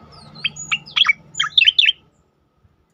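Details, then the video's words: Brief 'tembakan' phrase of a striated grassbird, used to train and provoke other birds: a handful of sharp whistled notes and quick twisting chirps, then silence. "khass tembakan cicakoreng untuk masteran dan pancingan bunyi burung lain"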